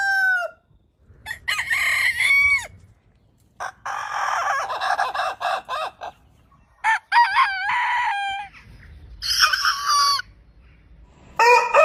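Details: Domestic rooster crowing. Several separate crows and crow fragments follow one another with short gaps, each hoarse and rich in overtones, some rising then falling at the end. Soft background rumble throughout.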